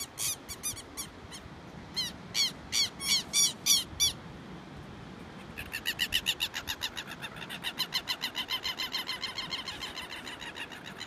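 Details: A pair of Southern lapwings chasing off an intruding bird give sharp, strident calls in a fast burst, then after a pause a rapid, even run of chattering notes, about three per second, over soft background rumble.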